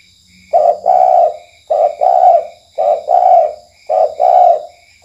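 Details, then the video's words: Night lure call of a spotted dove, KUK1 style: four rounded coo phrases, each a brief note followed by a longer, throaty one, repeated about a second apart, with regular cricket chirping behind. "Pancingan Tekukur Malam Tekukur KUK1"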